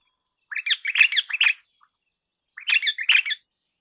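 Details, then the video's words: Crimson rosella uttering two bursts of harsh, raspy chattering, each about a second long and made of four or five grating syllables, with a pause between them. "Crimson Rosella Call. Crimson Rosella Sounds. Crimson Rosella Song. Crimson Rosella Noise."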